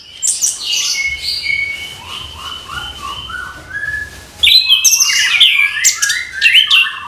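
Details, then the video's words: Orange-headed thrush singing in the morning: loud, varied whistled and buzzy phrases, some sliding downward, a quieter run of notes in the middle, then a sudden bright burst of sharp high twittering. "ANIS KEMBANG GEMERCIK SUARA DIPAGI HARI"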